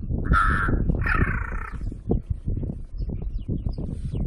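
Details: Two raspy crow caws in a row, a short harsh note followed by a longer, wavering nasal caw, with constant low-pitched background rumble underneath.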